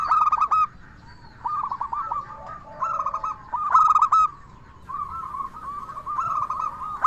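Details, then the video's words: Local Indonesian zebra dove singing a clear 'crystal' voice, used as a lure to stimulate other zebra doves to answer: bursts of bright, ringing staccato coos followed by rolling trills of mid-pitched notes, repeated in phrases every few seconds. "Perkutut Lokal Gacor SUARA KRISTAL Ahlinya Bikin Semua Burung Perkutut Langsung Nyaut"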